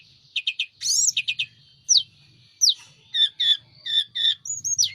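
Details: Sunda robin, or mountain tledekan, in vigorous song showing its wings: rapid triplets of clipped notes, a bright arched whistle, downward slurs, then paired chirps and a high wavering ending.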